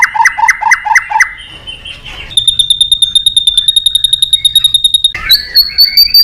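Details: Male white-rumped shama from Indonesia in energetic therapy song to stimulate other birds: a short pulsed phrase, then a long high piping trill of rapid even notes, then brief whistles.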